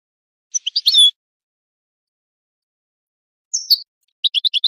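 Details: Goldfinch song from a tape for teaching young birds: a few quick high chirps ending in a longer slurred note, then a lone buzzy twitter, and finally a rapid string of bright tinkling notes.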